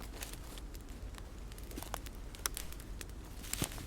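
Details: Soft crackling, rustling and footstep-like handling sounds with a few sharp clicks, and no animal calls.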